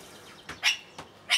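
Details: A male Eurasian kestrel gives two short, harsh, high-pitched calls about two-thirds of a second apart, each preceded by a fainter sharp note, over quiet background hiss; 15 July 2016.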